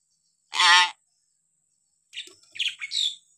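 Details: Hill myna call variations for training stalled or lazy mynas: one loud, harsh, rasping squawk, then after a pause a series of quick high chirps and squeaky notes.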